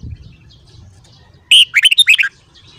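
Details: Red-whiskered bulbul singing in the morning, a caged bird being voice-trained: one short burst of bright whistled notes, sliding up and down, lasting under a second after quiet hum.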